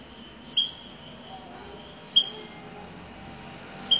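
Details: European goldfinch singing in the Wydani style, giving three short, bright twittering phrases about every 1.5 seconds, each a quick high chirp pair, over a faint low background hum.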